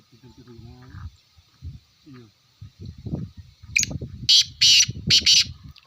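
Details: Harsh, rasping call of a black francolin: four loud scratchy notes in the second half, the last three evenly spaced, over low rumbling background noise with a few soft squeaks earlier.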